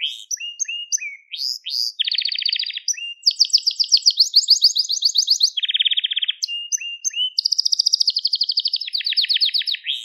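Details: Continuous crested Gloster canary song for tutoring young birds, built from chains of rapid trills at different pitches, buzzy rattles, clipped whistles and quick rising notes, with no pauses and no background noise.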